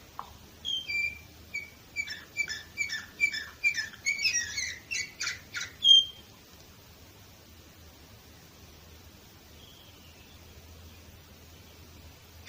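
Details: Canary in Varna, Bulgaria, 2018, starting with spaced whistled notes that speed into a rapid rattling trill and a sharp ending whistle, followed by near silence with one faint call.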